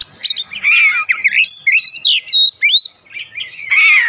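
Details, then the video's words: Oriental magpie-robin, 'ngeplong gacor' song played to draw response from kacer at home: quick chirps, a buzzy warble, then clear sliding whistles in steady succession, ending with another coarse buzzy phrase. "AUTO RESPON NGEPLONG GACOR KACER ANDA DIRUMAH"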